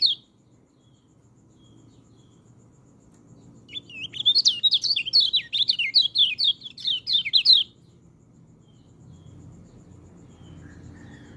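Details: White-eye singing, recorded for training white-eyes that seldom sing: one high note at the start, a long silence, then a rapid four-second burst of tumbling, sweet twittering phrases, followed by quiet.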